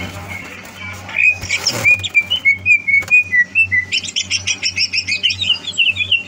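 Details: Competition-ready greater green leafbird, 30 November 2022: sliding whistled notes, then a fast run of sharp repeated chirps over a constant low electrical hum.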